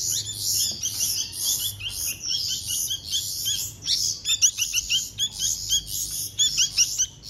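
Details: Young bulbuls being fed by hand give frantic high, hissing chirps, steady at first then breaking into choppy, sharper bursts toward the end.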